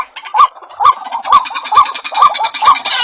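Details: White-breasted waterhen, recorded as a lure to attract birds: harsh, nasal croaks repeated steadily about every half second, each note marked by a sharp click, over a dense overlapping chatter.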